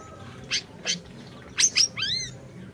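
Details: Orange-bellied leafbird singing vigorously, a recording meant as a lure to get a silent leafbird singing. Two short buzzy high notes, then two sharp chips and a slurred harmonic whistle.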